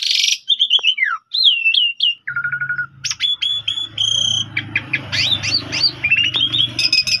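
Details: Morning lure song of an Asian pied starling, used to provoke a rival into singing: varied whistles and falling slurs, a short rattling trill, then rapid mixed chirps and squeaky notes over a low steady hum.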